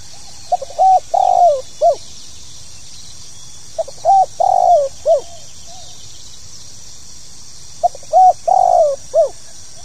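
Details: Tekukur, the spotted dove, calling in 'pokal tanggung' style: three repeated phrases of a quick stutter, mellow coo, long falling coo and clipped closing coo, about every 3.5 seconds, against constant background hiss.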